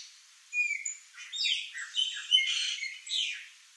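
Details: Chopi blackbirds in a flock at backyard fruit: bright whistled notes followed by tangled, slurred chirps and squawky phrases from several birds at once.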